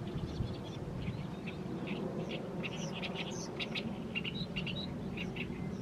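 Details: Oriental reed warbler in evening sunlight over a fallow field, mid-May, delivering a continuous song of scratchy, chattering notes, some sharper and higher, in uneven bursts against a low background hum.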